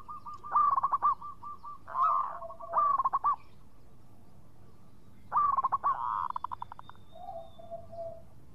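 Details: Local zebra dove song in three bursts of fast, clear, hooked cooing notes, interleaved with a lower even tone and softer trailing coos near the end.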